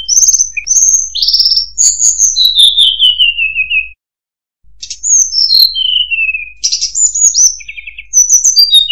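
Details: Murai buluh (tledekan) song of high, clear whistled notes that step down in long descending runs. A brief pause separates two phrases, and a fast jumble of notes comes near the end.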